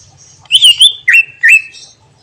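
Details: Greater green leafbird giving its imitation-filled song that is said to rouse other birds: loud whistled notes that bend up and down, followed by two sliding, wavering phrases, clean and bright against near silence.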